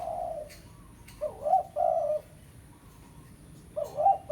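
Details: Spotted dove, pesom-style lure call used for calling a rival; low mellow coos in short phrases, a two-part coo near the start, a longer coo after, then another phrase at the end, with faint clicks in the background.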